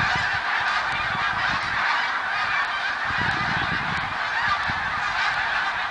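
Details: A large gathering of snow geese in 2014 keeps up a steady wall of high, yelping honks, countless voices blending into one unbroken chorus at an even loudness.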